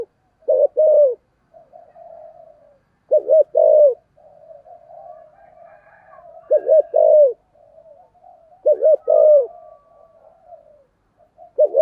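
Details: Decoy spotted dove, 'thổ' voice type, calling to lure wild doves; four evenly spaced deep cooing phrases, short doubled notes leading into a longer sliding coo, with soft low murmuring throughout.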